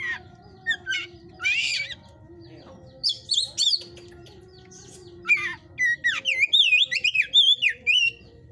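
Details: Caged Oriental magpie-robin of the 'hot type' at a breeder's enclosure: scattered harsh and buzzy notes, then an energetic flowing run of loud, looping whistled phrases that rise and fall quickly, over a low hum.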